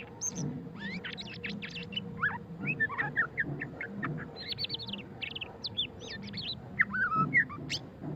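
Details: Murai batu pastol, a white-rumped shama, delivers its ngeriwik song: quick bursts of varied high chirps, trills and whistled slurs, closely packed with brief pauses, one lower warbled phrase near the end, steady low hum beneath.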